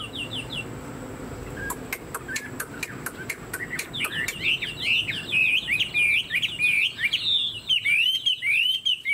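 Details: Chinese hwamei kept as a songbird in a cage, starting with soft clicks and short notes, then building into a loud, fast stream of looping whistled phrases.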